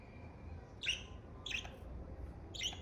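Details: Three short, bright chirping calls from a pet budgerigar, spaced well apart over a faint low background hum.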